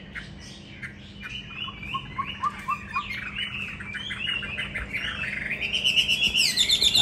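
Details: Caged hwamei, a tamed fighting bird, singing indoors upstairs: a run of varied whistled and slurred notes, rising in pitch and growing louder toward the end, with fast repeated phrases and a steady low hum beneath.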